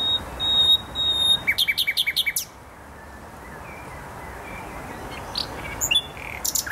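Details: Nightingale singing in the Poznań botanical garden, Poland: a few steady high whistled notes, then a fast run of about eight sharp repeated notes, followed by a quiet pause and faint distant phrases.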